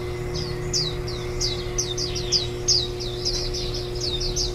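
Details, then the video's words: Warbling white-eye chicks at the nest during feeding, one day before fledging, July 2018: rapid series of short high downslurred chirps, nearly continuous and gradually quickening, over a faint steady hum. "綠繡眼-青笛仔 育雛 錄音"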